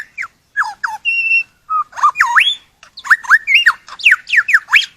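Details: Varied whistled song of an Australian forest lyrebird: downslurred notes, a level pure whistle, a deep U-shaped swoop, then quick alternating rising and falling whistles mixed with sharp clicks.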